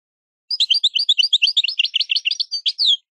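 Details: European goldfinch singing maknin for teaching young birds: two and a half seconds of rapid, sparkling high twitters, growing denser midway and ending in a buzzy note and a drawn-out downward slur.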